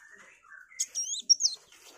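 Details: Kolibri wulung sunbird song for shama tutoring: a soft lower whistle, then squeaky, very high twisting notes in a short rapid phrase.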